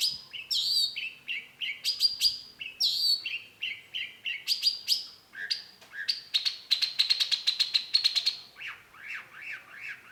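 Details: Long-tailed shrike (cendet) song, used to lure other birds into answering: varied scratchy and whistled notes stepping up and down, then a fast rattling trill, ending in rising-falling slurred notes.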